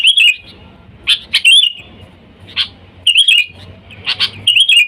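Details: Sooty-headed bulbul, a lure call to attract wild bulbuls: bursts of scratchy chips and bright bubbling warbled phrases, separated by short pauses of quiet low hum.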